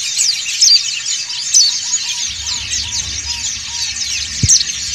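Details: Massed ngriwik chorus of dakun and montanus white-eyes, played as therapy for birds that stop singing; high chattering trills fill the clip, with a faint row of lower evenly spaced beeps and a single sharp knock near the end.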